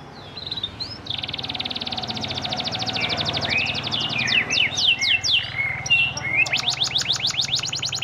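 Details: Panda canary singing a lure song to get other canaries to reply: long fast buzzy trill, varied twittering phrases, then a rapid high rattle, with a low hum in the background.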